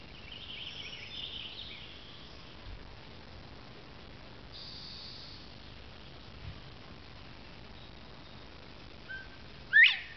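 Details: A male Northern bobwhite under a rhododendron, the only one in the area, answers a person's whistled imitation of its song: a faint low note, then a loud, sharply rising whistle, against quiet hiss and soft distant chirps.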